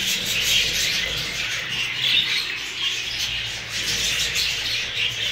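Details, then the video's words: Several new budgerigars of the Hagoromo variety chatter nonstop: a thick wash of high squeaks, chirps and warbled notes, with occasional short clear whistles and gentle rises and dips in loudness. "عصافير البادجي الجديده .. البادجي الهوجورومو"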